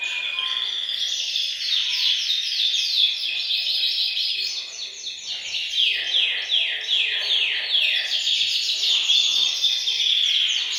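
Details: Canaries singing together in a bird room to stimulate males to sing and ready females for breeding; dense overlapping high trills and rapid descending sweeps run continuously, with steady rolling phrases throughout.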